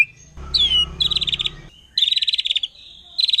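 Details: Wild forest white-rumped shama singing a song said to provoke other shamas: bursts of high, rapid chattering notes in short phrases, opening with a loud rough noise and a brief whistled slur.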